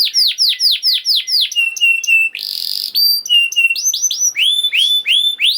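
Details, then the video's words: Canary song used to get silent canaries singing: repeated falling whistles, flat whistled notes, a short buzzy burst, then varied chips and rising sweeps. "Kenari Gacor Speed Rapet Ampuh Buat Kenari Macet Jadi Ikut Gacor Lagi || Voice of Canary"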